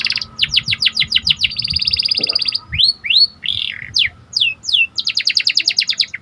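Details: Panda canary with symmetrical markings, in full song for rousing other canaries. Rapid rattling notes, then a long buzzy trill, several rich swooping slurs, and another fast rattle, loud and continuous.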